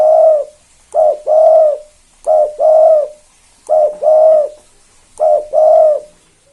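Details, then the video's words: Spotted dove of the two-note 'kuk 2' style, used to lure other doves into calling: a short coo followed at once by a longer one, the pair repeated about every one and a half seconds, five times. "Tekukur KUK 2 Gacor satu ini AMPUH Banget Pancing Derkuku Lain Biar Ikut Bunyi"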